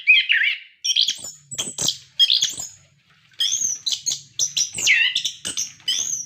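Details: Energetic orange-headed thrush song, used as a tutor to draw out captive birds: a fast run of varied whistled and twittering phrases, separated by short gaps, with bright slurred notes and crisp clicks between them.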